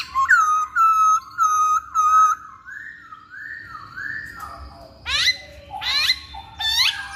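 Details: Masked laughingthrush song played as a lure to get males singing. Four clear whistled notes about a half second apart, softer gliding whistles, then loud sweeping calls.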